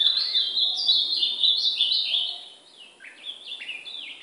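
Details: Training song of a brown ultramarine grosbeak, from an hour-long session that also includes the white-throated seedeater. A bright, fast run of high slurred notes, then a softer phrase of downslurred and upslurred whistles.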